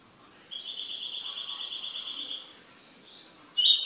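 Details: A kept goldfinch holds an even, buzzy, high trill for nearly two seconds, then breaks into a sudden loud twittering note.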